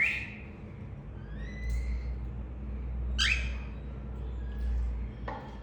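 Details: Pet lovebirds chirping sweetly indoors: a few short, separate chirps, a whistled note sliding up near the start, a sharp swept chirp midway and a brief one at the end, with quiet gaps between them over a steady low hum.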